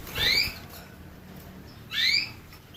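Canary giving two bright, high chirps, each with a quick slurred sweep, spaced under two seconds apart; faint background hiss between them.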